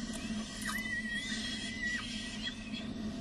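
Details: Peregrine falcon nest at De Mortel, 6 May 2009 at 11:28, as the male arrives with prey and feeding begins. Thin, squealing tonal calls hold level, then bend down and back up, over a steady low hum.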